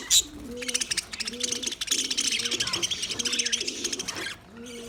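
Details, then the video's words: Budgerigar chatter: rapid, evenly pulsed high clicking and warbling after one sharp opening chirp, with soft low coos repeating about once a second, stopping near the end. "Parrot Calling sounds, Parrot sound video , Natural Budgie Parrot video , Birds chirping sounds"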